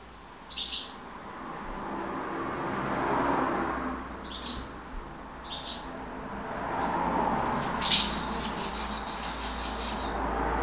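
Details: Swallow chicks, five in a nest in a back passage, being fed by adults. Short buzzy high chirps come every second or two, then a burst of rapid harsh begging chatter near the end over a steady low traffic-like rumble.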